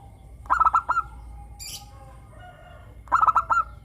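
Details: Local zebra dove in morning song: two stuttered phrases of quick clicking coos ending in a rolled note, with quieter cooing from other doves in the pause between.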